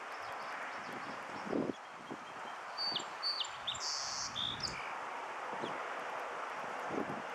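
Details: A song sparrow on a windy 12 April 2013 at Aliso Creek Trail, Portola Parkway, California, sings its "doo-dee-doo" song, a brief phrase of clear, slurred notes with a buzzy middle section, over steady rustling and wind noise.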